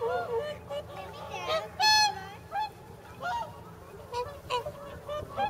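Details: Whooper swans gathered on a pond in Nagamine, Nishiyama-machi, nearly 300 in all, before their journey north; a busy chorus of overlapping honks, one loud bugle standing out near the middle among many fainter calls.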